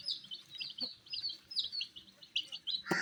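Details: Baby chicks, dyed in colors, eating wheat: rapid high peeps, each sliding downward, overlapping from many birds, ending in a sharp knock.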